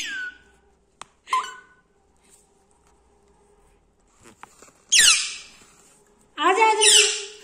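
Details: Pet Indian ringneck parakeet indoors saying "maa" and "papa" and mimicking a microphone-on sound, giving harsh, squeaky imitated syllables and loud screechy bursts, with a person's voice heard beforehand.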